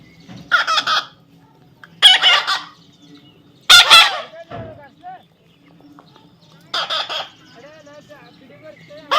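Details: Parrot chick giving a series of harsh, buzzy squawks spaced a second or two apart, followed by soft wavering whistled notes and a final rasp.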